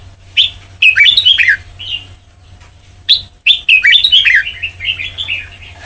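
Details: White-cheeked red-whiskered bulbul singing in the Sông Kon style for training. Two long warbling phrases of quick downward-slurred whistles and chirps are separated by a one-second pause, over a faint low hum.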